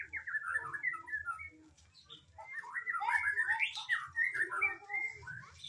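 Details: Magpie-robin song: rich, varied whistled phrases, warbling and sliding up and down, delivered in quick bursts with a short pause midway, over a faint low background hum.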